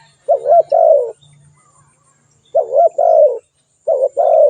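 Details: Spotted dove uttering three soft coo phrases in quick succession, the last cut short. Each phrase is a brief wavering note then a sustained, gently falling coo.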